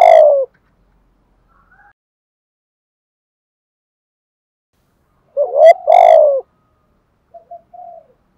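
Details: Decoy spotted dove giving a thúc gù coo used to stir up wild doves: a loud burst of short and drawn-out coos at the start, long silence, then another doubled coo phrase and soft trailing notes.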